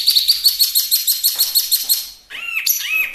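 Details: Chinese hwamei (Garrulax canorus) singing: a fast run of high, bright chirps, then loud, arched whistled notes that rise and fall.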